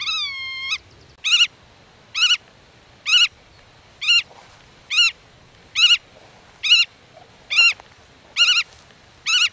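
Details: Black-tailed godwit protecting its nest from intruders while keeping contact with chicks in the grass: one long level nasal call, then a steady run of short arched yelps almost once per second.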